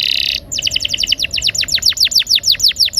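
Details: Canary rolling song for stimulating silent birds to sing: it opens with a short buzzy note, then a fast, even roll of high downslurred notes.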